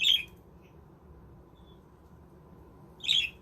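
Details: Budgerigars kept in a homemade aviary village: one scratchy squawk opens, then near silence over a low hum, and a second harsh squawk arrives about three seconds later.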